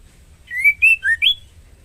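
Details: Female white-rumped shama in breeding condition calling to a male, giving one quick phrase of four clear whistled notes, the first rising, a lower dip, then an upward-sweeping final note; faint hum underneath.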